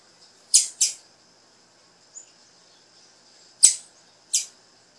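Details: Female blue-black grassquit giving calls meant to prompt a male's song: sharp, high chips in quick pairs, one pair early and another near the end, with a lone faint chip between them.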